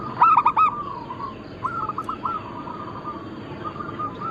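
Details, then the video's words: Local Zebra dove, Bangkok-crossing type, in full song for a lure and training recording: a loud ringing double coo opens, followed by softer rolling trills of hollow notes at one pitch, with further doves faintly behind. "Perkutut lokal gacor"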